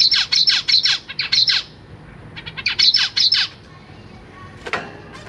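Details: On 23 June 2023, captive zebra finch babies, recently hatched and fed by their parents, give rapid, high, wheezy begging calls in quick bursts, several per second, then a pause; a brief rustle follows.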